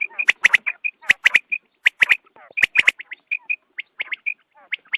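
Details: Quail calling at daybreak for hunting: bright, clipped chirps mixed with raspy bursts, arriving in quick clusters about once a second, with sharp snapping clicks between them.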